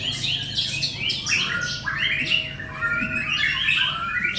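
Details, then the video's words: White-rumped shama song, a dense run of varied whistled and chattering phrases, rapid rising and falling notes with sharp upsweeps, sustained without pause over a low indoor hum. "murai mandala"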